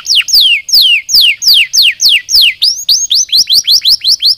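A canary sings a run of loud, high whistles, each sweeping steeply downward, about two per second, then shifts to a faster series of short rising notes.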